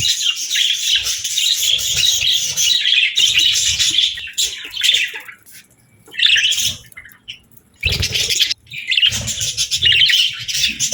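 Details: Budgerigar chirping in busy warbled phrases broken by short silent pauses, with some louder sharp squawky notes near the end.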